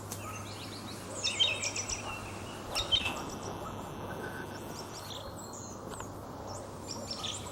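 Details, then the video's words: A spring song thrush singing steadily from a tall ash at the edge of an oak forest near Sudak, Crimea, marking its territory; a short, sharp, chattering phrase is given twice, about a second and a half apart, then quieter notes, over a low hum. "Дрозд певчий Turdus philomelos пение весной"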